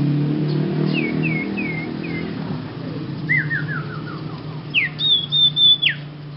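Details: Young Sirpu, a beginner bird with a strange-sounding song: short downslurred whistles, then a descending run of quick whistled notes and a long, high, level whistle ending in a drop, over a steady low engine hum.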